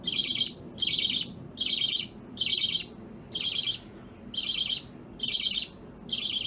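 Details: Baby budgerigars, multiple pet birds of opaline and lutino varieties, playing with a chain; harsh buzzy chirp bursts, each about half a second long, repeated roughly once a second in a steady series.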